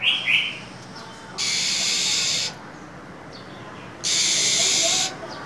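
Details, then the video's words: Female than songbird in cold winter, hissing continuously: a few short sharp chirps at the start, then two long broadband rasping hisses, each about a second, separated by a quiet pause. "Than mái khè, rít liên tục, kích trống mở mỏ giữa mùa đông giá rét!"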